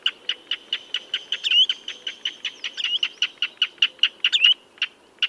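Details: Dense sequence of clipped common redshank notes with a couple of rising whistled phrases, the calling trailing off into a brief pause before one last note.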